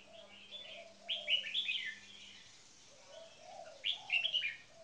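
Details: Caged red-whiskered bulbul song, the birds tested for singing stamina: two loud clusters of quick, bubbling whistled notes separated by quieter mellow low warbles and a faint background hum.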